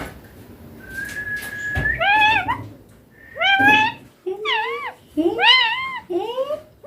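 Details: Green baby Indian ringneck parakeet kept as a pet, talking: a long flat tone, then a series of rising and falling, wavering speech-like syllables in short bursts, with quiet room noise.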